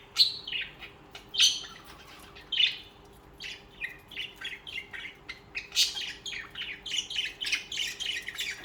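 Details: Budgerigars chatter steadily, a rapid series of short, buzzy, scratchy chirps and warbles, some louder bursts early, then a denser run toward the end.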